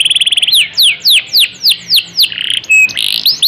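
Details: Canary 'Asuhan Rembulan' singing long, vigorous song meant as a master recording for teaching other birds: a quick trill, then a series of descending whistled slurs about three per second, ending in short chattering trills.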